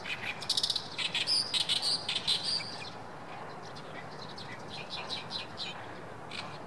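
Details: Oriental reed warbler at a Shinkai rice paddy, recorded 7 May 2014, delivering a loud burst of rapid, harsh, croaking and chattering notes for about three seconds, then fainter scattered notes amid constant background hiss.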